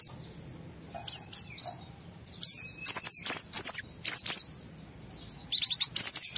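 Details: Excited white-eye singing a lure song meant to provoke other white-eyes into answering: rapid, very high twittering notes with quick down-slurs, delivered in uneven clusters with short pauses and a faint thin whistle between bursts.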